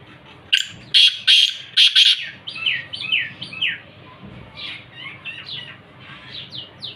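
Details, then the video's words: Black francolin from Khushab giving a loud series of harsh, rasping notes at a fast, uneven pace. The notes fade into a string of softer, down-slurred chirps toward the end. "kala teeter ki awaz"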